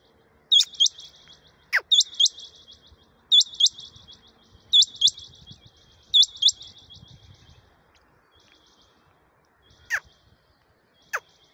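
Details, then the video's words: Quail calling in a jungle on 6/1/2021. The call is a sharp, high, doubled chirp that rises and then trills briefly, repeated in bursts about every one and a half seconds. Later come a few isolated descending notes and faint low rustling. "Rani quail sound in jungul Chinga ki Awaaz"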